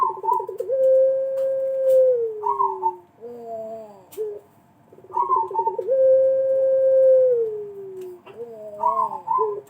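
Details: Pelung dove lure call used to prompt other doves to sing: a quick stuttering trill flows into a long, smooth, slowly falling coo, then short warbled notes. The phrase repeats twice.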